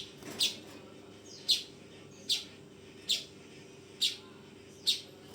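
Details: Fledgling weaver calling with six sharp, scratchy chirps, spaced roughly one second apart but not evenly, against a faint constant background hum.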